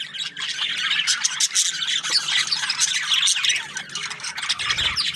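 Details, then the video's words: Aviary of breeding budgerigar pairs giving a continuous, busy wash of high warbles, squeaks and chirps from many birds at once, with no pauses. "Happy budgie chirping sounds | parakeet breeding pairs"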